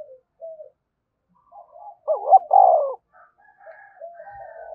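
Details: Spotted dove in thúc bổi style: one clear loud phrase of a wavering double note and a rich falling coo in the middle, framed by quieter, more distant cooing notes before and after.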